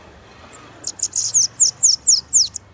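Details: Costa Branca song of a bananaquit: a brief opening note followed by a brisk string of high, thin, down-slurred buzzy notes, roughly eight in two seconds, against a faint low background hum.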